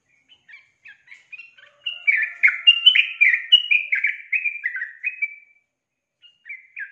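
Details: Sooty-headed bulbul female calling to draw the male into song: soft scattered notes lead into a dense, loud run of descending bubbly chirps, then a pause and a few final notes.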